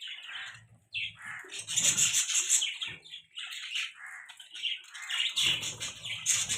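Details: Budgies chirping: a busy, continuous chatter of high, buzzy warbles and quick tweets, with short pauses and soft low rustles between bursts.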